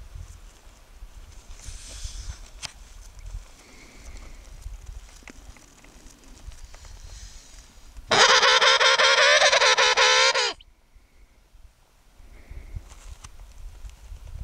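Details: An excited emperor penguin with new feathers, up close, while others molt quietly about 15 yards away behind a snow berm, gives one loud, brassy, wavering trumpet call of about two seconds, against quiet wind and faint distant calls.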